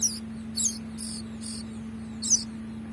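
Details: Young bar-winged prinia being hand-fed. It gives thin, very high chirps in short bursts, about five within three seconds, over a steady low electrical hum.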